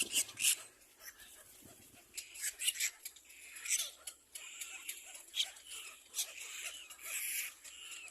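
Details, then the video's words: Young little black cormorants competing for food: a dense stream of high, scratchy squeaks and clicking chatter, irregular and overlapping, with brief louder bursts. "Little black cormorant baby birds compete for food"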